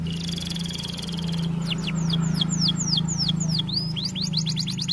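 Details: Canary song played as a tutor recording: a high trilled buzz, then a series of clear downward-sweeping whistles, over a steady low electrical hum.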